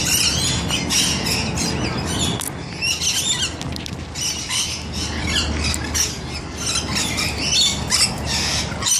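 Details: Rainbow lorikeets taking a bath, constant shrill screeching and chattering from several birds, with splashy patter and a low hum underneath.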